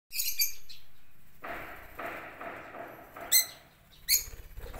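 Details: Lovebirds in a home aviary with a garden and pond, lining up to be fed corn: shrill, high chirps in short bursts at the start and end, with rustling, scraping noise from the birds between them.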